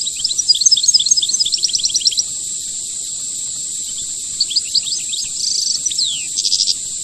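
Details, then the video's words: European goldfinch singing the rare khelwii song style: rapid high twittering runs of sharp notes, a pause, then buzzy trills and descending slurs, over a steady high-pitched whine. "Chant chardonneret khelwii rare"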